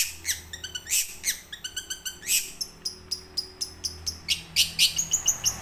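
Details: Young wild long-tailed shrike (cendet) in rolling 'ngerol' song, used as a lure to start silent caged birds: rapid trilled bursts alternating with harsh broadband notes, about three per second, ending in higher whistled phrases.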